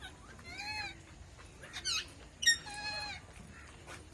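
Red-breasted parakeet giving four or five harsh, nasal squawks, some rising and others wavering, spaced unevenly over a few seconds against a faint background hum.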